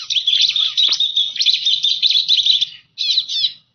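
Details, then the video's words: Lure call of the Bar-winged prinia for attracting birds: loud, high buzzy trilling chatter running steadily, broken by a short silence near three seconds before a final burst of chirps. "Suara pikat ciblek"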